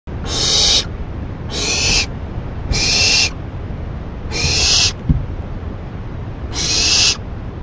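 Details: Owl at night, 11:30 PM on 28 May 2012, receiving a rabbit as food and shredding it; five harsh, breathy hissing screeches, each about half a second, spaced roughly a second apart over low background rumble.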